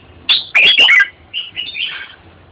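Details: Red-whiskered bulbul singing: a loud burst of rich, warbled whistled notes near the start, followed by softer, slurred whistled phrases.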